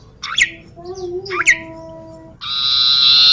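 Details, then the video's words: Common iora singing in a garden near home, where its song was often heard in childhood; two quick upslurred whistles, then a loud, steady buzzy trill begins and runs to the end. "siulan burung cipoh"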